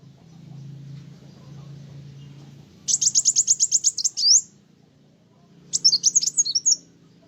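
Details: A kolibri wulung sunbird sings energetically to excite rival birds: after quiet, a fast series of about a dozen sharp high ticks ending in a slurred note, then a shorter scratchy twitter.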